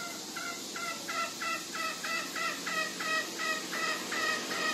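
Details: Green junglefowl on Lombok making the 'ngekek' call: rhythmic, clipped double notes repeated about three times a second in an even cackling run, with a constant hiss behind them.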